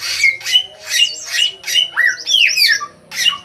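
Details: Vigorous song of a sooty-headed bulbul used as a lure for untrained birds: loud, rich, slightly rasping notes repeated about every half second, broken by a fluid rising and falling warbled phrase, with a steady low hum behind.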